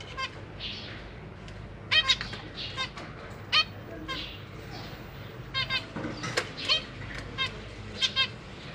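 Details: Caged zebra finches, a pair with three juveniles and three newly hatched young, parents busy feeding the babies: short nasal stacked beeps scattered every half second or so, some in quick pairs, over a low steady hum.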